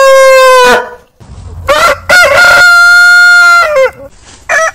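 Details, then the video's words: Heritage roosters giving long crows. The end of one steady crow fades out, then a loud, level crow sustained for about two seconds ends with a downward slur. Another crow begins as the sequence closes. "Biggest Rooster Sound Alarm - Long Roosters Crowning Suara Ayam Berkokok Panjang"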